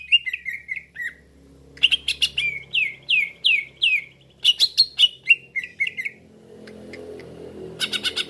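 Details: Leafbird lure for trapping, meant to get other green leafbirds to respond fast: lively mix of clicks and rapid falling whistled notes repeated in a long phrase, with a low hum beneath.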